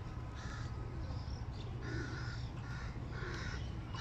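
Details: Hungry hooded crow chicks begging loudly on seeing their father arrive with food: harsh, rasping cries in bursts about every half second, over a steady low mechanical hum.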